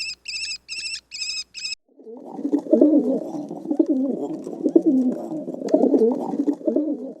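Pigeons cooing in low, throaty, rolling murmurs that overlap almost without pause. Four bright electronic chime bursts come first.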